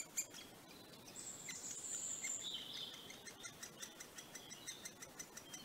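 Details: At a great spotted woodpecker nest in northern England, filmed late May 2020, a high shrill buzzing drone swells and drops lower for about two seconds, followed by a steady run of sharp, evenly spaced ticks.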